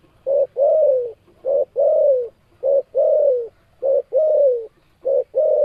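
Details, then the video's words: Spotted dove (tekukur) cooing: low mellow phrases of a short coo followed by a longer, slightly falling coo, repeated steadily about every 1.2 seconds. "Suara Burung Tekukur Super Gacor"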